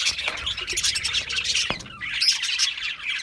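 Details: Budgerigars warble and chirp together, a continuous scratchy chorus with a few clearer rising whistled notes and a single sharp tap partway through.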